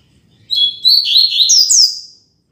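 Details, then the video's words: Classic Tui Tui Zel Zel song of the Double-collared seedeater, meant for teaching young birds: a rapid phrase of high chirps ending in two loud downward-swooping notes, with a soft click near the end. "Encarte Tui Tui Zel Zel Canto Clássico Ideal Para Encarte e Treino de Coleiros e Papacapim"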